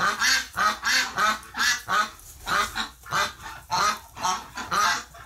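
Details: Ducks agitated after a flock member died in hospital, livestreamed November 30, 2018: loud, harsh, nasal quacking calls in steady bursts, roughly two each second, with short pauses between them.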